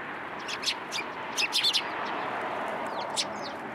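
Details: Sparrows gathering for food put out on a pillar at a Tenmangu shrine, 1 February 2023, give a busy burst of quick overlapping high chirps, then a few scattered tweets.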